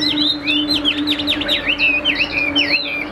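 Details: Caged Chinese hwamei, Tam Hoàng type, repeating bright V-shaped whistled slurs in quick succession, about four per second, each dipping and climbing again, over a steady low electrical hum.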